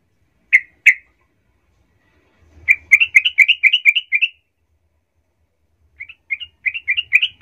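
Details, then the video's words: Sooty-headed bulbul song used as a lure to rouse other bulbuls into angry singing: two separate bubbly notes, then quick runs of short, liquid, gurgling notes repeated in a burst, a pause, and another similar burst. "nggak sampai 10 detik trucukmu Bakal ngamuk Naik darah ramai mendengar pancingan trucukan ini"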